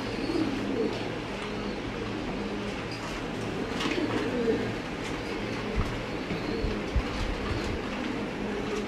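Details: Silver Barred English Trumpeter pigeons, a fancy domestic pigeon breed (Columba livia domestica), give low, rolling coos that run on almost without a break, over a steady mechanical hum.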